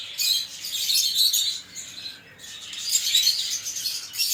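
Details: Lovebird chirping and chatter: high, scratchy tweets in two bursts, with a quieter gap near the middle before shrill chirps resume.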